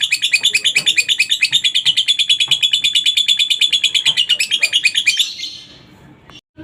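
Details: Lovebird ngekek used to coax other lovebirds into singing: a long, regular, high trill of rapid chattering pulses for about five seconds, then it stops abruptly, leaving faint room noise.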